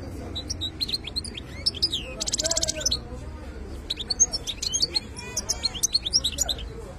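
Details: Khlawi-type European goldfinch singing a lively run of high chirps and trills, with a rapid buzzy rattle early on, then a dense stream of sharp twittering notes over low background hum.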